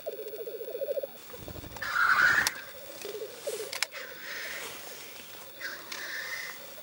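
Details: Male black grouse courting and fighting at the lek to win females, including mating, recorded with Sony and Canon EOS 7D cameras; low bubbling notes repeat rapidly, then a loud hissing rush cuts in, with softer bubbling following.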